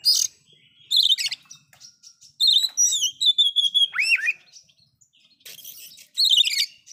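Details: Loud oriental magpie-robin song full of fill-in phrases to provoke other magpie-robins: burry warbled bursts, a run of level whistled notes leading to a looping downslur, then further trilled warbles after a pause.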